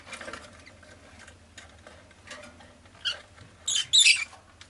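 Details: Soft rustling and scratching, then a pet rosy-faced lovebird breaks in with a quick cluster of harsh, grating chirps near the end.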